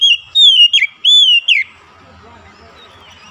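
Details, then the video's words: Therapy song of an Oriental magpie-robin for a bird gone quiet: four loud, slurred whistles that each rise and then fall sharply, followed by near silence with faint low murmuring. "terapi mengatasi Kacer macet bunyi langsung gacor"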